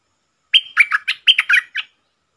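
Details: Wild red-whiskered bulbul, bold and challenging, singing at a caged decoy bird before going. A single lively phrase of seven or eight sweet, warbling whistles, the first held and clear, the rest quick and choppy.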